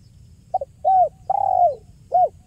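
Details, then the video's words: 'Kuk 1' spotted dove coos for luring: a short double note, an arched coo, a longer falling coo, and one more brief arched note, all soft and mellow. "SUARA JERNIH BURUNG TEKUKUR KUK 1 GACOR PALING AMPUH UNTUK PIKAT DAN PANCINGAN"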